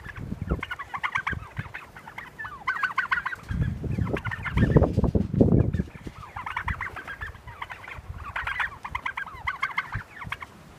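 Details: Heritage turkeys following people on a walk through pines to pasture, as a visiting grey hawk comes in for a closer look, give bursts of rapid, rattling gobbles and clucks with heavy low rumbling and thumping noise.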